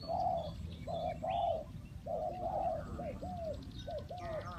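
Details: A spotted dove used as a trapping decoy coos softly and somewhat distantly. Paired hooting notes are followed by shorter falling coos, over a rustling, noisy background with faint bird chirps.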